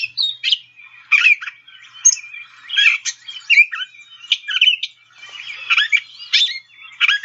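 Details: Another Gray Catbird singing a mimicked series of phrases given singly: scratchy, squawky and slurred whistled notes tumbling in an irregular stream, some harsh and nasal, with short gaps and no repeats.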